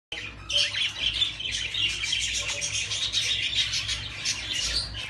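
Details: Exhibition fallow budgerigars at a breeding farm in the 2022 season chatter continuously in a dense mix of warbling chirps and scratchy squawks.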